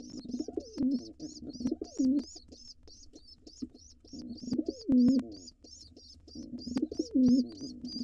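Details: Low rolling pigeon coos come in bursts roughly every two and a half seconds over nonstop high, thin cheeping from nestlings. The scene is a nest box of wild pigeons, with an intruder male trying to take it over by attacking the young.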